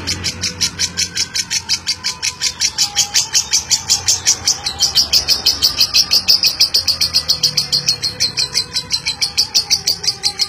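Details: Lovebird giving a long, chatty 'ngeklek' song, used as a lure to get other lovebirds to sing; rapid high chirps repeated about three times a second, steady through the whole stretch, over a faint low hum.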